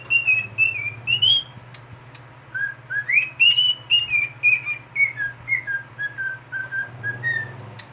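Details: A pet cockatiel, said to like whistling when someone is bathing in the bathroom, whistles a tune of clear, sliding notes that rise and fall in short melodic phrases.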